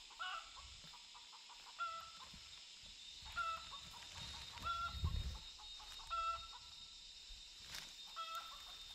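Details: A flock of wild chickens, hens with chicks, near a forest work site gives short, nasal, clucking calls in small bursts about every one to two seconds, over a steady high insect-like hiss and a brief low rumble.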